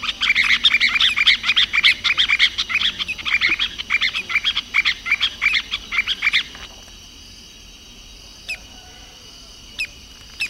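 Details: Masked water tyrant, a common, tame bird, singing at length: a rapid, uneven run of sharp, high chirps for about six seconds, then near silence broken by a few faint ticks.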